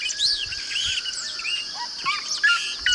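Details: Yellow-rumped marshbird (Pseudoleistes guirahuro), a marsh bird noted for a strong, melodious whistled song: several overlapping whistled, slurred and chattering notes, suggesting more than one caller, over a steady high hiss.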